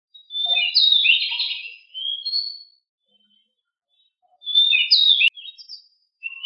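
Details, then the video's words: Pied bushchat (decu) singing in the rolling style called ngeroll, lively and loud: two bursts of dense, scratchy warbling with quick high slurs, separated by about two seconds of silence, then a short note at the end. "Sangat Ngeroll!!! DECU sangat gesit suara sangat berisik"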